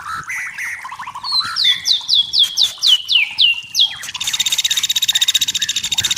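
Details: White-rumped shama from the forest giving a bright series of evenly spaced high falling whistles about four per second, after lower warbled notes, ending in a fast dry buzzy rattle of rapid ticks.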